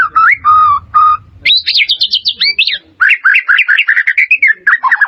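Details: A white-rumped shama singing, as training audio for caged birds: two clear mellow whistles, then a fast high rippling phrase, then a long busy chatter of varied chirps and slurred whistles with scarcely any pause.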